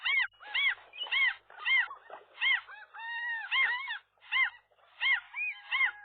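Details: A gull pair defends their new nest as a single gull pushes in between male and female one morning. Repeated bowed, yelping calls alternate with a longer wavering wail, then short gaps and more yelps.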